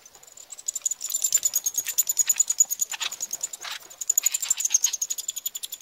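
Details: Eurasian wryneck chicks being fed at Pribytki, Russia, on 2 July 2018, give a continuous, very high, hissing buzz broken by rapid rasping pulses, swelling in bursts as food arrives, with faint clicks and rustles.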